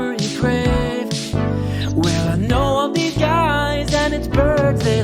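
Music with a sung vocal line over sustained instruments and a steady low bass, with no animal sounds.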